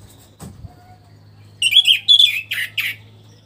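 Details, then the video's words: Orange-headed thrush in a cage after its moult, starting to sing freely. A brief click and soft note, then a loud burst of four or five rich whistled, chirpy notes against a low background hum. "memancing suara anis merah setelah ngurag"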